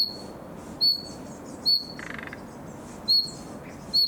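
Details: A juvenile common nightingale rehearses its song in summer: five piercing, slightly falling whistled notes, about one per second, with a short dry rattling buzz in the gap after the second note.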